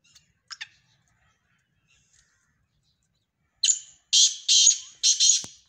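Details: A black francolin (kala teetar) calls after a few faint chirps: one harsh phrase of a thin whistled note and three grating, buzzy notes.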